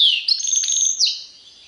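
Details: Brief European goldfinch phrase in the Serfati Tiwawati style: a bright, sustained high trilling note held for about a second, opening with a sharp falling chirp and ending in a quick upward flick.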